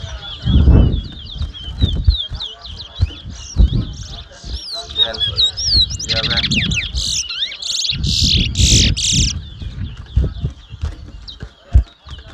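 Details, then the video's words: Towa towa, the chestnut-bellied seed finch, sings at a 2022 whistling competition in Mahaica, Guyana. Quick, swooping whistles give way to bright, buzzy bursts near the middle, while people talk and shout nearby throughout. "TOWA TOWA BIRD WHISTLING COMPETITION"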